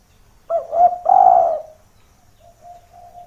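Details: Spotted dove lure call meant to bring rival doves down close; a brief clipped note then a long loud drawn-out coo, followed by faint softer cooing.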